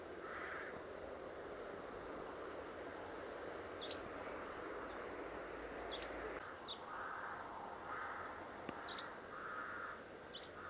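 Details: A very shy European green woodpecker on a morning in late October 2016, enlarging a starling nest-box hole likely to nest there in spring, gives loud hollow kyu notes under a second apart, over wind or traffic rumble and small-bird chips.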